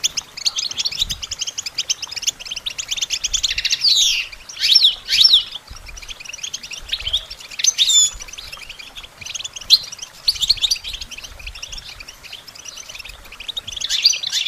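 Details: European goldfinch song for training songbirds: dense, rapid twittering with tinkling high notes and short buzzy trills, in bursts that swell and fade over about fourteen seconds, with no other clear sounds.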